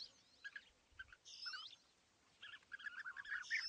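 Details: European bee-eaters perched together at East Leake Quarry on a sunny morning, 5 July 2017. Scattered purring call notes mix with higher twittering from other birds, building into a busier chatter toward the end.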